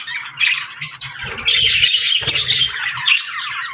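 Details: Cute pet birds chirping indoors: a dense, scratchy warble of rapid chatter and squawky notes, continuous throughout with brief louder bursts.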